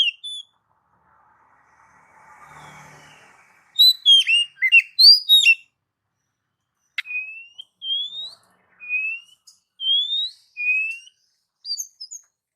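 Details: Oriental magpie-robin training song for pet birds: a soft muffled rustle, then a burst of sharp, falling whistles, followed by a steady series of long, rising whistled notes about every second.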